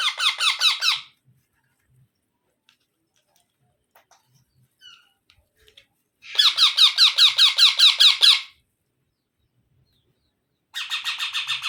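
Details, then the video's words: Baby parrot giving bursts of rapid, raspy, rhythmic squawks, each a quick grating note repeated about three per second, in three runs lasting one to two seconds, separated by quiet pauses indoors. "Baby Parrot Sounds"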